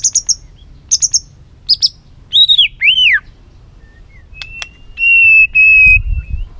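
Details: White-rumped shama: short, very high chipping notes in small clusters, then two arched whistles and a long, thin, level whistle, with a soft low rumble at the end.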